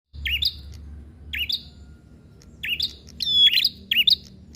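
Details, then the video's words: Prinia singing in a fighting bout, a visiting bird loose outside its cage: loud sharp chirped notes with swooping pitch, given in short bursts about every second and a half, some with a whistled tone. "Suara Burung Prenjak Gacor Tarung"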